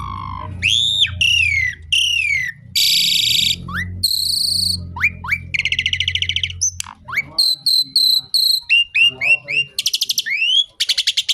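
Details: Song of an Indonesian Asian pied starling, the kind said to summon rain: loud slurred whistles, rasping buzzes and quick clipped chirps in a shifting medley, over a steady low hum in the first half.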